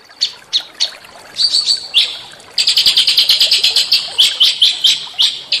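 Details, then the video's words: Small songbirds sing in a training recording meant to stimulate white-rumped shama to sing with rough bursts: scattered sharp, high chirps, then a quick run of rapidly repeated high notes, with a natural setting behind. "masteran burung kecil agar murai batu gacor AMPUH buat PANCINGAN murai batu agar bunyi EMOSI"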